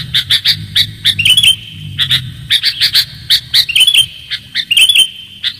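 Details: Clear sooty-headed bulbul calls used to lure birds: a quick series of crisp chirps breaks into liquid, warbled phrases, repeated again and again without pause, with a soft low rumble behind.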